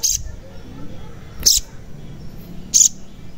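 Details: Crimson sunbird (sogon) sound used as a lure to get lazy or silent sogon to sing and to draw birds closer: three short, very high, sharp chirps, spaced about 1.3 seconds apart, over a quiet background.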